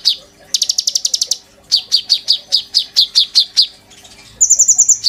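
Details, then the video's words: Actively singing caged oriental magpie-robin, a tutor for white-rumped shama song, sujud style: opening slurred note, a fast rattle of high ticks, a string of loud descending whistled notes, then a rapid trill of very high clicks. "BURUNG KONIN GACOR.GURU POKAL MURAI BATU GAYA SUJUD"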